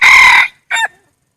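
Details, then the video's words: Wild red junglefowl rooster crowing: a long harsh drawn-out note followed after a short pause by a brief clipped syllable, then silence. "Suab lau qaib qus qua zoo dib heev"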